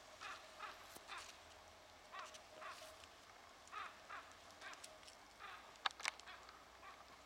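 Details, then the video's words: Common raven recorded on 23 September 2017, giving harsh, hoarse croaks in short irregular bursts, about a dozen across seven seconds, with a louder doubled call near the end against a quiet, steady background. "Korpin ääni"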